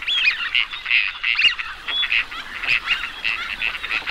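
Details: Teal calling as a flock: a dense, overlapping chatter of short, high, whistled notes with rough nasal undertones, repeated irregularly throughout without pause.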